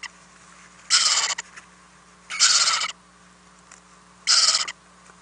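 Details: Overnight in an owl nest box on 4-10-2018, owlets being fed; three separate harsh hissing bursts, each around half a second, spaced well apart over a quiet humming background.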